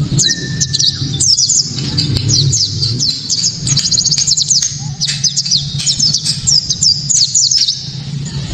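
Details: White-eye 'tembakan' song, very loud, sharp and clear, played to set other white-eyes singing: long series of rapid high twittering notes and quick down-slurred whistles, one low flat whistle early, steady low hum throughout.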